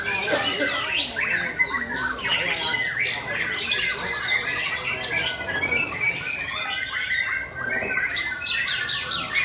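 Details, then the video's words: Competition song of white-rumped shamas, May 2020: a busy stream of rapid whistles, sharp chips and rising and falling trills from several birds at once, continuous for nine seconds, with faint human voices underneath. "Chòe lửa đấu hót 5.2020"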